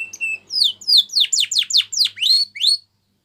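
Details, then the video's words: Short canary phrase for training, Spanish Timbrado style: a steady whistled note, then about eight loud sweeping notes that slide down and curl up, followed by silence. "Canary Singing Bird Sounds"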